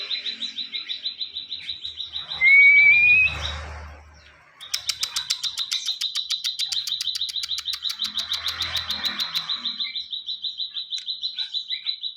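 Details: Ciwah singing steadily as a model for training songbirds: a fast, rhythmic chatter of high chirps at one pitch, about three or four per second, interrupted once by a loud, rising whistle.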